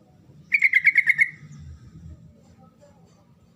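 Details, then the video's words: Sooty-headed bulbul, called trucukan, song used to provoke a silent bird into answering: a quick run of about six bright chirping notes lasting under a second, over a low rumbling background. "SUARA TRUCUKAN GACOR NGEROL SEPERTI INI PALING DISUKAI TRUCUK BISU LANGSUNG NYAUT RIBUT"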